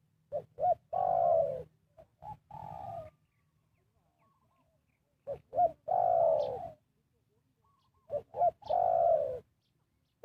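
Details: Spotted dove calling to attract wild birds for trapping: three clean phrases of two short coos followed by a long, falling, throaty coo, separated by brief silences.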